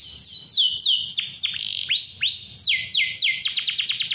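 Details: Lively canary song meant to prompt young or lazy canaries into singing: a series of loud descending whistled slurs, two rising upslurred notes, then a fast repeated string of short falling sweeps.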